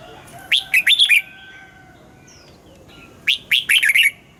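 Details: Caged red-whiskered bulbul morning song with forest-style double notes: two loud phrases of four or five rich, warbling whistled notes, about three seconds apart, with faint chirps in between.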